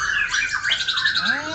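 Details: At a songbird contest, a competing White-rumped Shama fires a dense burst of sharp, piercing shooting notes, rapid chips and bright whistles, ending in a quick rising whistle; it sings normally rather than facing a rival.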